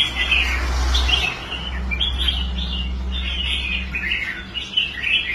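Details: Red-whiskered bulbul kept in a cage, once a quitter at singing contests and now rehabilitated, singing on the rack: short, clear warbling notes in quick succession over a constant low droning hum.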